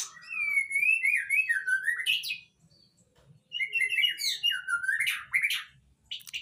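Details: White-rumped shama of Nias bloodline singing a rich, fast, varied warble of rising and falling whistled phrases with chattering trills, two long bursts separated by a short pause, the second ending in a high rising sweep.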